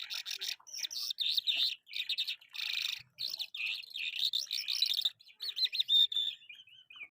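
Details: Lark recorded in Karachi, giving a lively, continuous song of chirps, buzzy trills and quick warbled notes in rapid bursts separated by short pauses. It ends with a run of small rising and falling whistled phrases.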